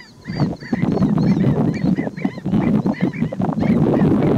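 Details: Four Black-necked Stilts interacting, possibly two pairs harassing each other, Champaign County, Illinois, USA, June 12, 2020; sharp, nasal yelping notes from several birds overlap in rapid bursts, several per second, over a broad low rumble.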